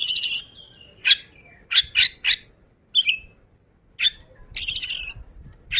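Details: Oriental magpie-robin, ngobra and in full voice, produces short harsh scratchy bursts and quick downslurred whistles separated by brief silences, with one longer rasping note near the end.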